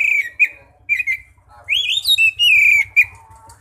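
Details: Oriental magpie-robin song in the loud, open ngeplong style, played as a lure to call other magpie-robins: clear whistled phrases, short slurred notes, then a rising sweep into sustained bright whistles, over a faint low hum.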